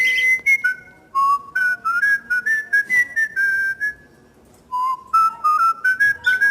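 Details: A cockatiel (Nymphicus hollandicus) whistles a clear, stepped tune of pure notes that rise and fall in short phrases.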